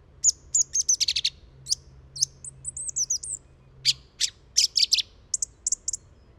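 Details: Song thrush singing a string of very high, crisp notes: a whistled note repeated three times, scattered sharp chips, a rapid twittering run, then more clipped notes repeated in small groups.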